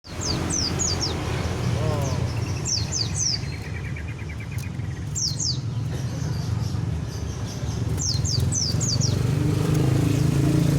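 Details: Magpie giving high, thin, sharply falling notes in quick clusters of three or four, repeated every few seconds, over loud continuous engine and traffic noise with a motorcycle nearby.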